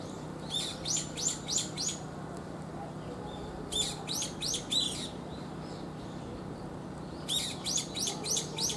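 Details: Brown-eared bulbul, a large individual close to pigeon size, calling: three bursts of five or six rapid, sharp, high chirps, near the start, around four seconds and after seven seconds, over a steady low hum.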